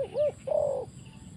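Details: Spotted dove, a decoy bird used in trapping and set down on the ground: two short, rounded low coos, then one longer, steady coo, with faint high chirps of other birds behind.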